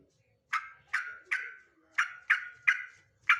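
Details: Male sooty-headed bulbul calling in a rapid series of seven short, rasping bursts, spaced about a third to half a second apart, in a quiet setting.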